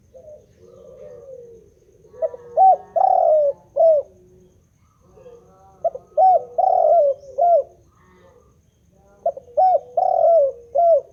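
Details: Spotted dove calling without stopping, giving low, mellow cooing phrases of several notes with a longer drawn central coo; the phrase repeats about every three to four seconds, with faint soft background sounds between.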